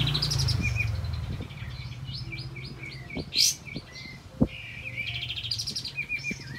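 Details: Olive-backed white-eye in lively song used to prompt silent birds: series of quick whistled notes and trills, a loud chirp burst, a few clicks or taps, and a low hum underneath.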